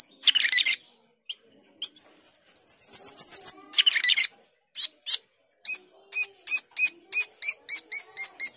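An Asian glossy starling sings a varied, chattering song: harsh buzzy bursts, quick runs of high whistles, then sharp clicking notes repeated about three times a second.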